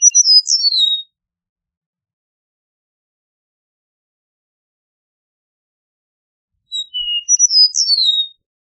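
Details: Eastern meadowlark giving two whistled song phrases roughly six seconds apart. Each is a quick run of sweet, slurred notes that fall in pitch at the end. Quiet in between, with no other sounds.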